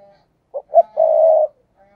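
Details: Lure recording of a spotted dove giving the 'thúc gù' coo to attract wild doves: a brief note, a slightly louder second note, then a sustained smooth low coo, close and clear, with a faint steady tone at the edges.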